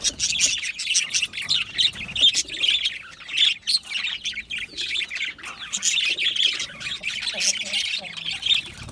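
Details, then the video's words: Several Australian budgie parrots calling in an aviary, a steady stream of high squawky chirps and twittering warble, notes piling over one another without a break. "Australian Budgie parrot chirping sounds"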